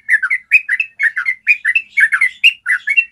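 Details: Rapid ropel song of a yellow-vented bulbul, used to draw other bulbuls into singing. Short liquid two- and three-note phrases follow one another roughly twice a second.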